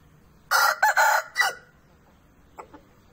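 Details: Morning crow of a domestic Aseel rooster kept with hens, around mating: loud, hoarse cock-a-doodle-doo of three or four choppy syllables lasting about a second, followed by a faint short call.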